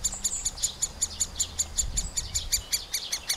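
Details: Nestling middle spotted woodpeckers being fed at the nest cavity by their parents, filmed with a Panasonic FZ2000 at 120 frames per second: a fast series of high, squeaky chirps, about five per second, with a low hum underneath.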